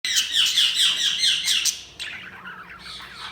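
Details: Budgerigars chirp in a rapid, busy stream of high warbled notes and squawks, with a quick, rhythmic run of notes in the first two seconds, followed by looser chatter.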